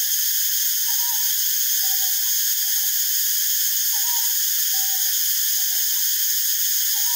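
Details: Northern boobook, subspecies Ninox japonica totogo, while foraging and preening. Soft, low hoots fall in pairs, the pairs repeated roughly every second. A loud, steady hiss runs throughout.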